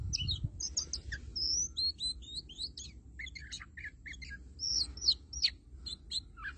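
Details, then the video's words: Oriental magpie-robin kept as a lure bird, singing nonstop: a rapid, varied stream of clear whistled notes, slurs and sharp chips, some rising and some falling, over a low steady rumble of background noise. "Chích Choè Than Mồi Hót Như Cái Máy"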